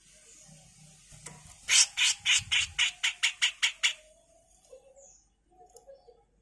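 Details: Grey-cheeked bulbul, recorded as a master for training songbirds, pours out about ten harsh rasping 'mbeset kasar' calls in a quick, even burst lasting two seconds. Quieter twittering follows afterward.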